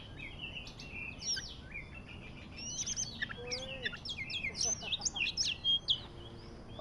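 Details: Magpie-robin song of the Medan type, used for trapping: varied whistled and scratchy notes, first soft, then louder and more rapid. A low slurred whistle stands out in the middle over faint background noise.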